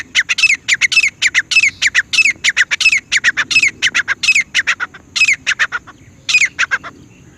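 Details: Grey francolin calling rapidly and shrilly, a dense string of sharp, high clipped notes and rising-falling slurs, with faint low background rumble.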